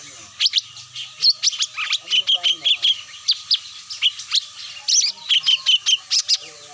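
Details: High, rapid chirping from cucak mini as a lure call: a fast, almost continuous string of sharp tweets and short buzzy notes, several calls overlapping, over a low steady hum.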